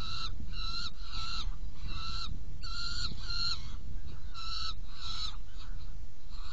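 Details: Saker falcon nest box at feeding, 17 June 2018 at 10:31; loud, harsh harmonic calls in uneven clusters with brief pauses, some notes longer and wavering, against a steady deep background rumble.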